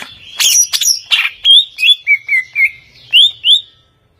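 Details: Overall champion greater green leafbird singing: harsh chattering notes open, then a steady series of clear whistled slurs, some rising and some falling, spaced about a quarter second apart.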